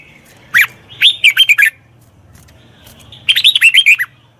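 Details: Wild-caught red-whiskered bulbul in training gives a single sharp note, then a quick run of rising and falling whistled notes, repeated after a short pause.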